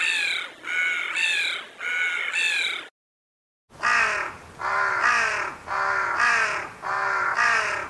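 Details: Raven giving harsh, hoarse caws: four evenly spaced caws, a short silent break, then five more in a steady rhythm of about one per second, clear and close, with no other sounds.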